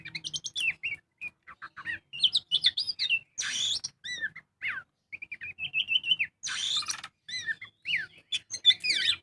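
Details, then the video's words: Lure recording of a kacer magpie-robin singing in energetic ngobra style to trigger other birds: a restless stream of clear whistles, downslurred notes and trills, broken by harsh buzzy bursts, with short gaps between phrases. "Pancingan burung kacer gacor full ngobra"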